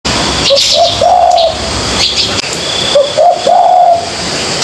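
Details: Young spotted dove learning to coo. Two short cooing phrases, each with soft low notes that lead into a longer, drawn-out mellow coo. Faint hiss and higher chirps sit in the background.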